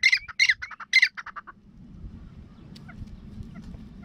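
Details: Irani (brown) francolin, possibly a male calling in the wild, gives a quick burst of harsh, squawking notes, about eight in a second and a half, then falls silent over faint background noise.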